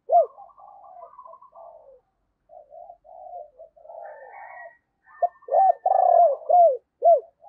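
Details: Decoy spotted dove giving rapid thúc notes and cooing to lure wild doves: soft low murmurs, then a run of four loud arched coos in quick succession near the end, with quiet gaps between phrases.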